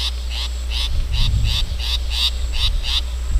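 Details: Rasping notes from a wild long-tailed shrike, repeated evenly about three times a second, accompanied by a low rumble of wind or handling noise midway.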